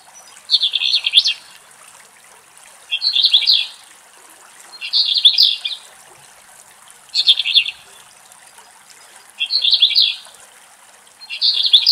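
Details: An Eastern black-eared wheatear, probably a young bird, recorded in Greece where it was seen eating tiny ants, sings short scratchy, high warbled phrases about one every two seconds over a soft steady hiss.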